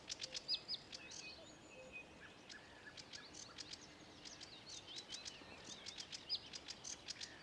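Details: Sedge warbler singing at Ilmatsalu, Estonia, on 26 May 2017: a fast, continuous run of dry chattering notes, clicks and short buzzy trills mixed with whistled slurs, varied throughout, over a faint background hiss.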